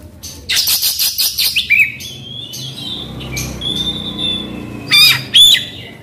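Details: Oriental magpie-robin lure song: a fast pulsing rattle of rough notes, a short slurred whistle, a long thin high tone, then two sharp, ringing whistled notes near the end.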